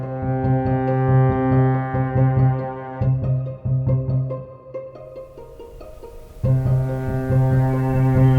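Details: Loud bowed and plucked string music with deep cello-like notes, which pauses briefly in the middle and then returns at full strength.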